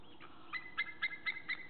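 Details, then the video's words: White-tailed eagles on 1 April 2014, one on the nest and the other nearby, both calling: a quick series of five sharp, yelping notes, about four per second, over a faint background hiss. "Zeearend op nest, andere in de buurt roepen beide"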